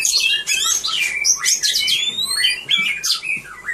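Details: Caged Oriental magpie-robin performing at a birdsong contest, 3 April 2015: loud, varied song of whistled notes, sharp chirps and long clear rising whistles, delivered in rapid bursts with brief pauses.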